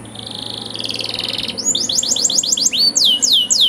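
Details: Canary master song with elaborate phrasing, used for training canaries: a soft trill swelling into a rapid pulsed roll, then a run of high descending slurred notes repeated about four per second, ending in broader downward sweeps.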